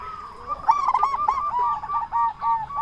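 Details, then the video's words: Local zebra dove calling to prompt other zebra doves to reply: a brief series of bubbling, fast coos that soften into a few rounder notes. "Perkutut Lokal Gacor SUARA BESAR Ahlinya Bikin Semua Burung Perkutut Langsung Nyaut"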